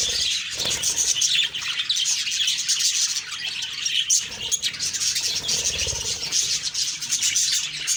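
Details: Budgerigars in the morning, a dense continuous chorus of high, scratchy chirps and warbles from several birds at once, with no clear gaps.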